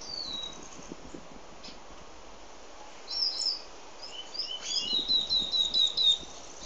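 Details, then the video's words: Pet White-collared seedeater, known locally as dominico, singing as heard from indoors: a drawn-out falling whistle, a pause, then a lively run of high clear notes that build into rapid, evenly repeated sweet phrases over faint background noise. "Dominico(Sporophila Torqueola) cantando"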